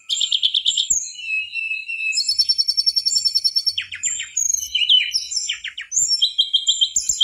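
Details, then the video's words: Tutor recording of a mangrove whistler for training songbirds: a varied, energetic medley of high whistles, trilled phrases, rapid repeated ticking notes and descending chirps, clean with no other sounds. "Masteran burung tledekan bakau gacor"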